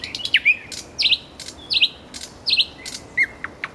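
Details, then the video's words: Common nightingale singing at a roadside: repeated bubbling, trilled phrases about every three quarters of a second, ending in a few sharp dropping notes. "соловей у дороги Luscinia megarhynchos"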